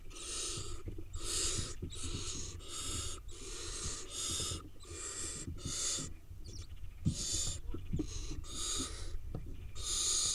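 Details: Eight wild barn owl nestlings in a nest in Israel. They give harsh, breathy, snore-like hisses in rapid bursts, roughly one every half to one second, overlapping through the recording.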